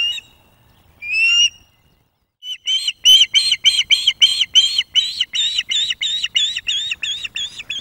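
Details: At a Loch of the Lowes webcam nest in spring 2024, a female osprey food-begs while a young territorial male brings fish. Two isolated whistles are followed by a long rapid run of about twenty loud, ringing, wavering notes.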